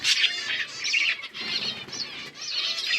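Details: Budgerigars, October 27, 2023, giving a continuous busy twitter of high chirps and nasal warbling notes, with a rustling background throughout.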